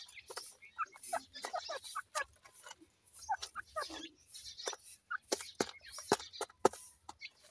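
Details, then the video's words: Partridge chicks playing: short, sharp twittering chirps, some rising and falling, given in uneven bursts among frequent dry clicks and rustling knocks. "partridge bird chicks playing"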